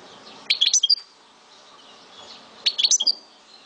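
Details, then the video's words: Kept European goldfinch of Souk Ahras, Algeria, giving two short separated bursts of high bright twittering with a brief whistle, amid a quiet background hiss. "Chant de Mon Chardonneret De Souk Ahrass"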